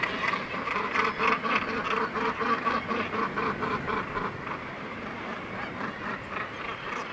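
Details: Northern gannet colony on a steep cliff face at Syltefjordstauran, Varanger coast, Norway. Rhythmic, throaty calls pulse about twice a second over a constant background chorus, loudest at the start and fading later.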